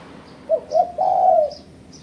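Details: Spotted dove coo used as a lure to challenge rivals, two short notes and a long sustained coo, with several faint high chirps of other birds in the background.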